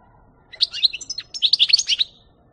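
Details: European goldfinch, 2018: one quick phrase of bright, tumbling twitters and liquid chirps lasting under two seconds, in quiet surroundings.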